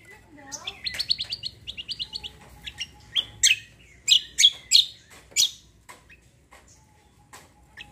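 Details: Cucak kombo songbird giving kecial kombo roll song: a fast run of trilled high notes, then loud sharp chips about every third of a second, fading into quiet scattered notes.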